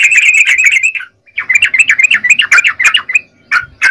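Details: Yellow-vented bulbul singing actively: a quick burst of chattering notes, a brief pause, then a jumble of separate, rising and falling bubbly notes.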